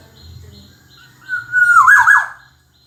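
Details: A single Black-naped oriole phrase: a soft short note, then a long smooth whistle that swells into a loud, gurgling, looping flourish before fading. Gentle high ticks are heard beforehand.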